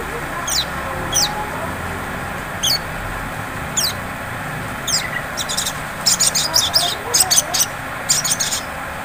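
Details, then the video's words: Sunbird (sogon) lure song in the ngleper style, played to provoke other sunbirds into ngriwik singing: sharp, very high downslurred chirps spaced irregularly, then dense stuttering bursts of buzzy high notes near the end, over steady low background hiss. "Pancingan SOGON ngleper cocok untuk memancing bunyi SOGON ngriwik"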